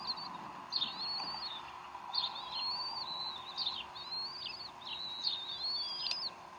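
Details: Decorah bald eagles at the nest during an afternoon feeding by the mother, 04-12-2012 around 3:10 pm Central Time; repeated high whistled notes, each sliding and slightly rising, given about once a second, over a steady background hum.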